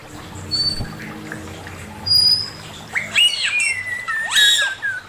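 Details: Male Chinese hwamei giving master song: a quiet opening, then from about three seconds loud whistled notes sweeping sharply up and down, with fast slurred phrases and a few thin high tones.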